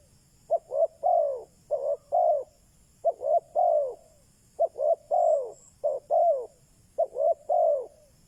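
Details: Decoy spotted dove calling to draw wild doves, repeated coo phrases of two quick notes and a drawn-out downslurred coo, evenly spaced about a second apart.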